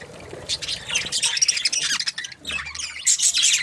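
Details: Budgies chatter in quick scratchy warbles and squawks, building up after a quiet start, with a short lull near two and a half seconds before a loud final burst.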